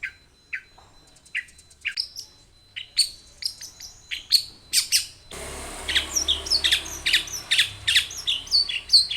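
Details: Long-tailed shrike (cendet) song with varied phrases: high clipped chirps and buzzy notes in irregular quick bursts, a thin sustained tone early on, then the background turns noisier partway through as the sharp chirps continue.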